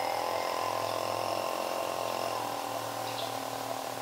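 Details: Lineated barbet giving hollow, throaty low notes in a fast, uneven run over a steady high insect drone; Ubon Ratchathani, Thailand, 15 February 2020.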